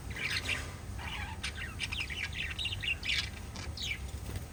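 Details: Group of five lovebirds in rapid chatter: quick runs of high, bright chirps and scratchy squawks following each other almost without pause, with a faint low hum underneath.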